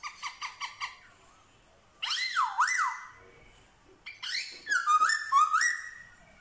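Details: Vietnamese Black-throated laughingthrush, a wild-caught bird being trained in forest song and imitating dogs, cats and chickens. Five quick harmonic yelps open, then a rolling wavy whistle, a pause, and a rising stepped whistled phrase.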